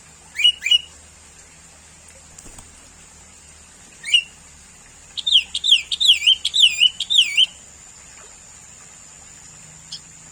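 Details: Sooty-headed bulbul, common around people, with a few sharp upward chirps, then a rapid run of wavy, warbled whistles repeated about twice a second before fading. A steady high hiss and a low hum run beneath.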